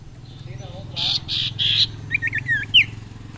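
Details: Common Iora (sirpu/sirtu), its song said to push other birds into agitated, full singing: three harsh buzzy bursts, then a string of short sharp chirps and rising whistled flicks. Faint low hum behind.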